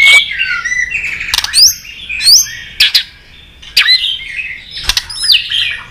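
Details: White-rumped shama singing a competition fighting song: varied whistled phrases with rising and falling slurs, interspersed with sharp clicking notes, bright and loud throughout.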